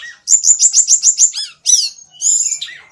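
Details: Songbird singing: a fast series of about eight sharp high chirps repeated evenly, then downward-sweeping whistled notes and a buzzy trill, loud and clear with no other sounds.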